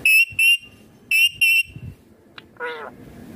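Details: Indian ringneck green parrot, described as a talking parrot, giving sharp, piercing, steady screeches in two pairs of short bursts, then a softer nasal squawk, over a faint low rumble.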